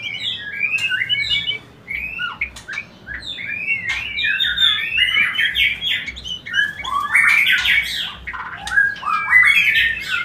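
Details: White-rumped shama singing a dense, rich song meant to stimulate mating: fast tumbling phrases of warbled whistles, chirps and harsh notes, nearly continuous, louder toward the end.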